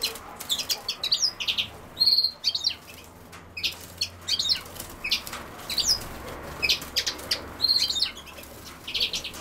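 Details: A European goldfinch associated with common sowthistle twitters almost continuously, with bright, quick, high chirps and short liquid phrases repeated every second or so, plus a few clearer whistled notes.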